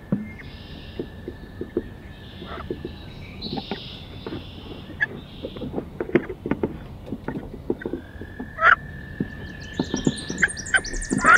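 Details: Two female wood ducks fight fiercely inside a nest box on 16 May. Scuffling and scratching knocks fill most of the recording, and a steady electrical hum runs throughout. Near the end come two short rising squeals, with faint high chirps from outside.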